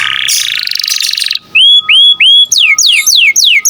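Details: Domestic canary in vigorous song, meant for teaching songbirds: a rough buzzy rattle, three separate ringing upslurred whistles, then a rapid cascade of descending sweeping notes.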